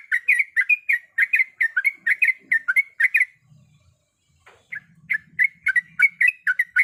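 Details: Female yellow-vented bulbul in breeding condition calling the male: loud, rapid, bubbly chirps in a run, a short gap with faint low sounds, then the chattering series starts again.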